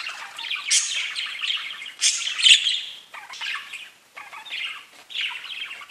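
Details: Several pet budgies chirping in a busy, buzzy warble; loud scratchy bursts roughly every second, with brief quieter gaps between the phrases.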